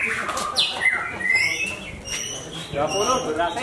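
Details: Javan white-rumped shama of the Larwo type, caged at a bird-singing contest, giving a burst of bright whistles with falling slurs and a sustained high note, then human voices and crowd noise take over.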